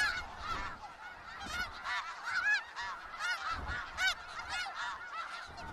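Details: Skagit Valley snow geese in a noisy flock, many overlapping yelping honks at varied pitches coming thick and fast, several loud close ones, with faint low thumps beneath.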